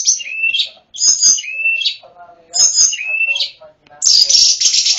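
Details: Snowy-browed flycatcher singing actively in a full, flute-like song for training other birds: high thin whistles sliding downward, separated by short gaps, ending in a sharp buzzy burst.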